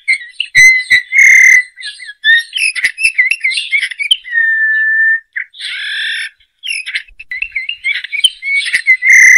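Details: Eurasian bullfinch song: soft piping whistles near one pitch mixed with creaky, chattering notes, a long steady whistle held near the middle, then more squeaky twitters, with no other sounds.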